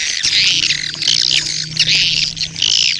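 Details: Swiftlet colony lure call ('koloni birahi') for attracting swiftlets; loud bursts of harsh, high, buzzy twittering in three or four swelling waves, with a faint low hum beneath.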